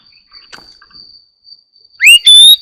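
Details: Oriental magpie-robin singing in the morning: two loud, clear whistles, the first sharply rising, the second long and steady, over a faint continuous high-pitched whine.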